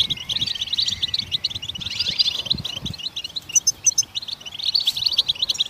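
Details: Goldfinches in the wild chirping to stimulate other songbirds: dense, rapid high twittering of quick chirps and short trills, with brief thin notes and faint low background noise.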